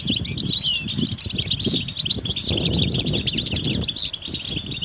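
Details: Mating and readiness twitter of European goldfinches, used to bring a silent male out of silence: rapid rising and falling chirps crowd together in a lively chorus, with low rustling and fluttering beneath.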